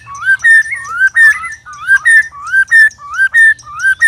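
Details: Loud, strange sparring song of a white-rumped shama, one of three birds set against each other. Paired whistles, a rising slide then a level note, come in rapid succession, with one brief overlapping note and a low background hum.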